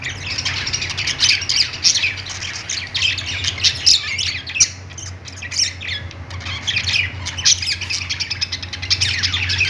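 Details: Perched pet-store budgerigars chirp and squawk in quick, dense bursts of scratchy, squeaky chatter, with a steady low hum in the background.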